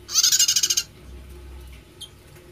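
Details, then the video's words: A single rapid, buzzy rattle of about ten pulses from a prinia said to sing unlike others of its kind, followed by a brief high chip and quiet low hum. "Prenjak Suaranya Unik"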